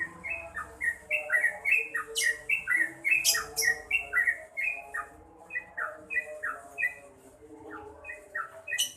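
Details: Yellow-vented bulbul in full song: a long, lively series of short bubbly notes that rise and fall, roughly two per second, with occasional sharp clicks and a steady hum behind.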